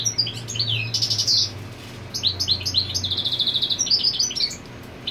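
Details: Goldfinch defending its territory while the hen broods on the nest, delivering a quick liquid twitter of high chirps, downslurred notes and a brief rattling trill over a low steady hum.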